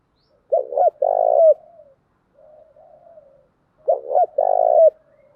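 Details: Lure cooing by a female spotted dove meant to provoke quick response: two strong low phrases, double hoot then an extended buzzy coo trailing downward, with soft muttering in the gap.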